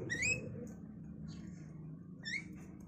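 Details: Javan myna chicks, five days old, begging as their parents bring grasshoppers and caterpillars to the cage. Two sharp upward-sweeping squeaks, one at the start and one near the end, with quiet low background noise between.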